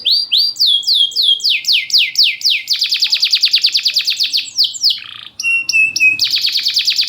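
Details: Loud champion canary song meant to coax reluctant canaries into singing and to serve as a tutor: rapid chains of high downward-sweeping notes, dense buzzy trills, a brief lower rasp, then sharp repeated chips and more rolling trills.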